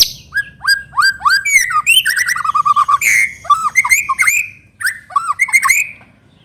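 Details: White-rumped shama, a spotted young bird, singing loud varied whistled phrases: rich rising and falling notes with sharp upslurs and rapid trilled runs, delivered in quick bursts, used as a lure to make another bird sing.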